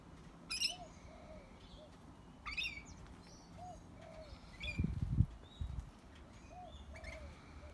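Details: Lorikeets in trees give harsh, shrill screeches in short bursts about every two seconds, over soft low cooing from another bird, thin whistles and a few wing flaps.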